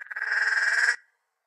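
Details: Torresian crow, found in almost any habitat across northern Australia and often calling in large flocks early in the morning, gives a single harsh, nasal caw about a second long with a rapid rattling buzz running through it; no other sounds.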